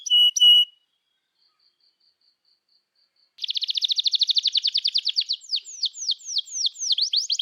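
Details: Canary in long, lively 'gacor' song, played to prompt young canaries learning to sing and to restart silent ones: a loud high note, a pause with faint ticks, then a fast even trill turning into repeated descending whistled sweeps.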